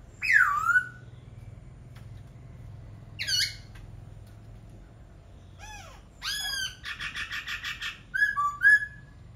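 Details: Mixed laughingthrush vocalising: a falling squeal, a harsh squawk, arched rasping notes, a quick run of evenly repeated buzzy pulses, and two closing whistles.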